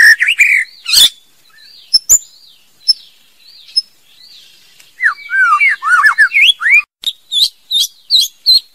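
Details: Female White-rumped shama song. Soft high wavering whistles and a few sharp clicks come first, then a fast run of rich, looping whistled notes, and finally a string of crisp, evenly spaced high chips.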